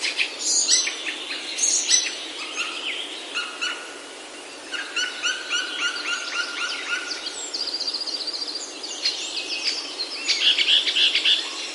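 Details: Wild birds in Himalayan oak woods of Himachal, India, singing varied phrases: sharp high whistles at first, then series of repeated notes from several birds, ending in a fast bright trill.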